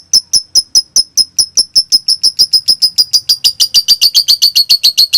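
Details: Lovebird sound offered as a master recording to spark silent lovebirds into answering and to train young birds learning to call; a steady series of sharp, high ticking notes that speed up and grow louder toward the close.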